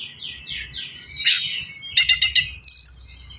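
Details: Short burst of Oriental magpie-robin song: repeated downward-sweeping buzzy notes, a harsh burst, four quick rattling strokes and a high whistled flourish.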